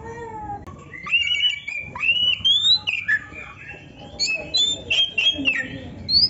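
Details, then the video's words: Oriental magpie-robin song for songbird training: a relaxed series of clear rising and slurred whistles, spaced about half a second apart, some with scratchy edges. "MASTERAN KACER GACOR FULL ISIAN !! - Suara Burung Kacer yang cocok untuk Latihan kicau"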